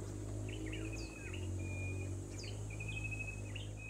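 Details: A Tailorbird, Gray-backed or Green-backed, at Tarlac Recreation Park, San Jose, Tarlac, Luzon, calls in two short bursts: sharp chirps running into a steady, level whistle, over a constant low rumble, likely a nearby bulldozer.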